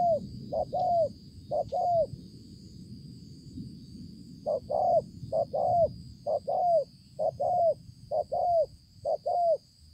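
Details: Spotted dove, 5 September 2020: a few two-part coos, a pause of about two seconds, then a run of regular paired coos, each short note followed by a longer falling one, over low background noise.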